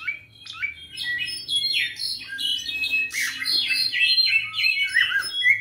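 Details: Clay-colored thrush (zorzal cafetalero) giving a rapid jumble of squeaky, warbled and chirping notes, dense overlapping phrases with falling slurs, quiet low hum beneath.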